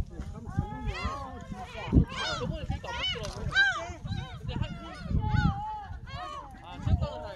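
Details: Seagulls at Jeongok Port near Jebudo Island, Korea, recorded on a smartphone while walking: a busy chorus of arched, mewing calls, several overlapping every second, over low rumbling background noise.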